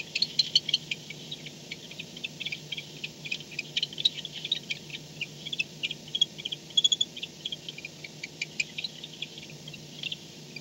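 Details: Barn owl returning to its nest at night, 4:38 am, 2-10-16; scattered high, dry ticking chitters, busier early and around the middle, softening later, over a quiet steady hum.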